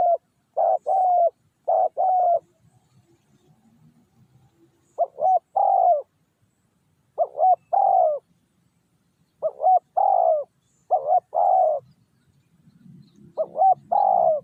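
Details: Spotted dove used as a decoy to coax wild doves down, giving clusters of two or three throaty coos with pauses of a second or more between bouts, and soft low background noise.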